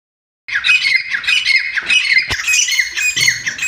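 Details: Grey francolins, known locally as chitta teetar, kept and bred at home in captivity. After a brief silence, a dense run of shrill, squawky, descending notes repeats rapidly and overlaps, with a sharp click partway through.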